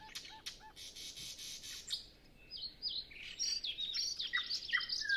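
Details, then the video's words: Nightingale in early-morning song before sunrise, calm air, other birds silent, recorded via Zoom F6 with Sennheiser MKH 8040: soft low notes and a sustained harsh buzz, a brief pause, then a rapid tumbling jumble of high twittering notes. "Nightingale Sound Library"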